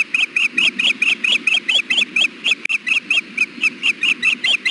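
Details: On a hot June nest, a female osprey brooding eggs fusses for food: an unbroken chain of about twenty shrill, ringing chirps, roughly two per second, each with a quick up-and-down inflection, against faint low rumble.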